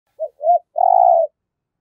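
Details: Spotted dove used as a decoy bird for luring wild doves to a trap, cooing in the 'thổ' voice style: two short rounded notes followed by one long, throbbing, low coo, a single phrase in quiet surroundings.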